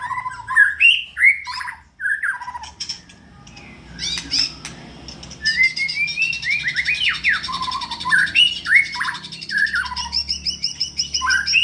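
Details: A caged white-rumped shama in full voice, ready for a song contest: a rich run of rising whistles, sweeping slurred notes and fast high trills, with a brief quieter pause and a faint low hum beneath.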